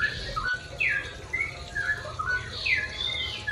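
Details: Morning song of a straw-headed bulbul in 'ropel' style, meant as training material for caged birds: a short, softer series of liquid whistled notes with quick upward and downward slides, over a steady low hum and a sharp click.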